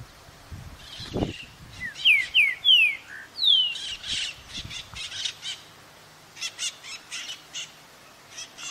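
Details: A well-hidden green-winged saltator gives a phrase of clear, sliding whistles, then a run of short, harsher buzzy notes; a low thump near the start.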